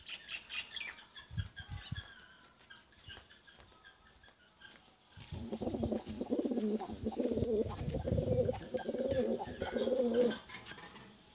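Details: Pigeon, described as cute: a few sharp wing flaps early on, then a steady run of low, throaty cooing that swells and holds for about five seconds before stopping.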